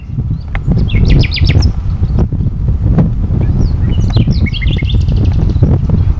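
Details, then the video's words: Spring forest song of a nightingale in Sithonia, Greece, 22 April 2018, with rapid repeated notes and clipped phrases broken by pauses, partly masked by heavy low wind rumble. "A Nightingale chants in the forest"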